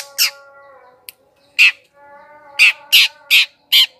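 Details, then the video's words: Long-tailed shrike calling as a lure for wild birds: loud, harsh, rasping squawks, single then spaced about every half second toward the end, with a faint steady hum behind. "PIKAT CENDET PENTET SUARA PANCINGAN"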